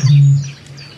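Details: A Eurasian bittern (Great Bittern, Botaurus stellaris) gives its booming call: one deep, hollow boom, a low, steady hoot lasting about half a second that then fades away.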